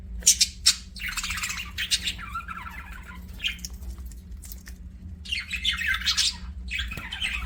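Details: Aviary budgerigars chirping in scattered bursts: scratchy warbling phrases and sharp chirps separated by quieter gaps, over a steady low hum.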